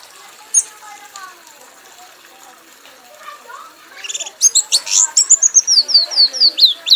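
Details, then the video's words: Red-whiskered bulbul, a prize-winning songbird, in a frenzied singing bout until exhausted. A few seconds of faint, scattered low notes, then a sudden rapid stream of high, sharp, descending whistled chirps, about two to three per second. "kanis merah bunyi sambil mabok sampai lemas"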